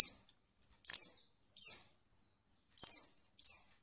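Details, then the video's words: Captive female white-eye calling to trigger singing in reluctant males: five thin, high, down-slurred notes in under four seconds, irregularly spaced, the last ones slightly flatter, on a quiet background. "pleci betina sangat ampuh buat pancingan pleci malas bunyi"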